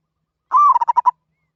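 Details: Zebra dove giving the calling style known locally as katok banir: a drawn-out rising-falling coo followed by about five quick staccato notes at a similar low pitch, in an otherwise quiet setting.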